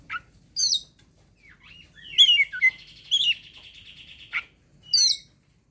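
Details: Fight-inviting song of an Oriental magpie-robin, used to lure quiet birds into singing: crisp high chips and twisting whistled notes, then a loud rasping buzz of about two seconds ending abruptly, more chips after.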